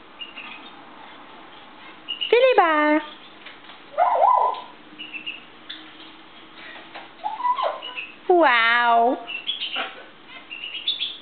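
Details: Pet African grey parrot, lively and in a good mood on a kitchen table in the morning, gives loud harmonic squawks with wavering, bouncing pitch, mixed with whistled chirps and clicks over several seconds.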